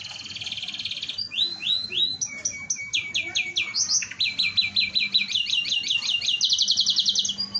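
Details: Singing canary used as a lure to set other canaries off; a rapid, continuous run of bright trills and chirps, with fast repeated rolling phrases that shift between sliding notes and buzzy rattles, with a faint low hum beneath.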